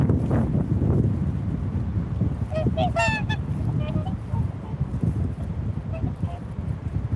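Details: Swans outdoors, with a burst of loud, harmonically rich honks clustered midway, then softer scattered honks, all over a steady roar of wind.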